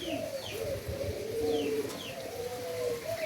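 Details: Endemic doves being bred in Indonesia give overlapping low, gently rising and falling coos, accompanied by faint high descending chirps from other birds.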